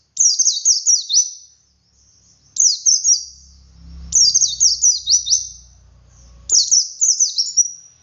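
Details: Ngalas-style song of a wild white-eye with 'wit wit' variation, used to coax captive birds into singing. Four quick bursts of sharp, high, downslurred whistles, each about a second and a half, with a faint low hum in the middle.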